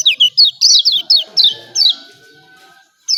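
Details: Brisk series of sharp, descending high chirps from a yellow white-eye of Lombok, about eight in quick succession, a pause, then one more; 'ciak ciak' calling.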